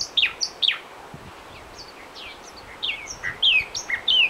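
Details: Mockingbird in January song on Long Island, central Bahamas: bursts of varied falling and rising whistled phrases, a short lull in the middle, then a louder run of sharp, sweeping notes.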